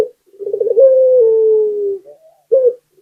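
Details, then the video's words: Local Barbary dove in steady song, played to stimulate other doves: a burst of quick rolling pulses flows into a sustained low, gently descending coo, then a brief clipped coo note after a pause. "Suara Burung Puter Gacor || PANCINGAN ANTI MACET"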